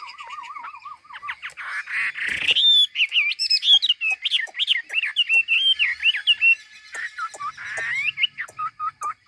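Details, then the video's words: Chinese hwamei from Ha Giang, Vietnam, opens with a quavering trill, then pours out loud looping whistled phrases repeated in quick rhythmic bursts. "Mi đẹp Hà Giang. #713 bộ đẹp hót hay cực víp tiếng hót thiên nhiên, luyện cho chim hót hay."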